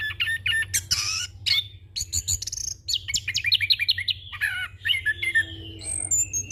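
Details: Orange-headed thrush, young bird, in a rolling song packed with varied phrases, used for training and as a lure: rapid bursts of high chips, buzzy notes and slurred whistles follow one another without pause over a low steady hum.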